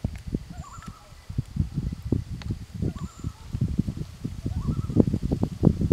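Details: Loon answering other loons; brief quavering tremolo bursts repeated a few times, with loud buffeting wind noise throughout.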